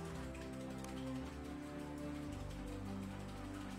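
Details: Soft sustained background music with low held tones plays throughout, and no animal sound is present.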